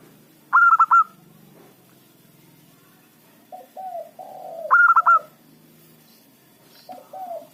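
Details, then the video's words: Local-strain zebra dove singing actively as a lure for trapping. Two loud, bright phrases of quick rolled notes about four seconds apart, with a series of soft, low, falling coos between them. "perkutut lokal gacor pancingan ampuh suara keras kecil cocok untuk pikat lawan"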